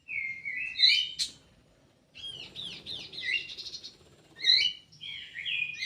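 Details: In an aviary, a kidangan kaso kaso bird delivers whistled slurred phrases, then a quick series of repeated downward-swept chirps, and closing whistles over a faint low background rumble.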